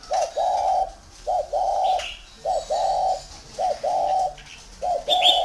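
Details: Spotted dove from a breeding aviary in Ba Vi, Vietnam, cooing: a soft short note followed by a longer hollow coo, the two-part phrase repeated steadily about once a second, with faint chirps behind.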